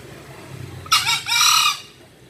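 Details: Harsh two-syllable crow of a green junglefowl. A clipped first note is followed by a drawn-out raspy second part after quiet low background noise.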